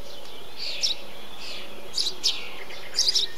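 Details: Eurasian tree sparrow calling in a bee-eater colony: short, sharp chirps at about 0.8, 2.0, 2.3 and 3.0–3.2 seconds, some in quick pairs, over softer, lower blurred calls from other birds and a steady high background hiss.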